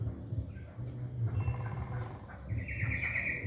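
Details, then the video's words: Wild straw-headed bulbul singing in the ropel style. A quick low rattle comes first, then a bright, buzzy sustained warble near the end, over a heavy low rumbling background. "Ropel Cucak Rowo Hutan"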